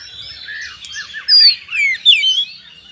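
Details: Lure song of an Oriental magpie-robin, vigorous ngeplong singing meant to provoke fighting. Soft chattering is broken by three loud phrases of bright descending and wavering whistles.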